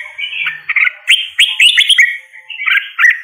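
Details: Red-whiskered bulbul song heard as a continuous, slightly softer chatter of quick slurred whistles and chirps, with a mellow warbling quality and no clear gaps.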